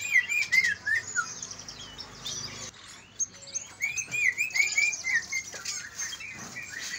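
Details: Song of greater green leafbirds, Kalimantan versus Banyuwangi birds, used to rouse lazy leafbirds to sing: loud clear whistled phrases with bouncing rising-falling notes, a brief pause, then another run of whistles over high twittering.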